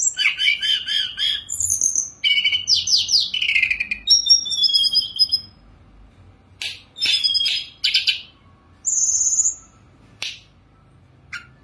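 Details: A Sunda robin (Myiomela diana) sings a rich, varied run of high whistles, buzzy trills and chattering notes, then shorter bursts separated by brief pauses.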